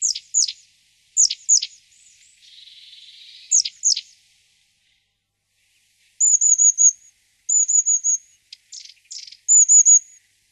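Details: Long-tailed tit calls: paired sharp high downward notes repeated in bursts, then thin trilled high phrases of four or five linked notes, with silent gaps between groups.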